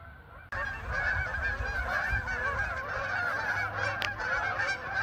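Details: A flock of Canada geese flying over a neighborhood, returning home, calling continuously in a dense overlapping chorus of nasal honks, with steady low background rumble.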